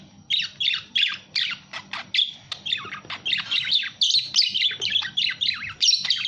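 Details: Budgerigar repeating short, bright chirps in a bouncy rhythm, roughly three per second, some notes sliding downward, growing into a denser warble toward the end; faint low hum.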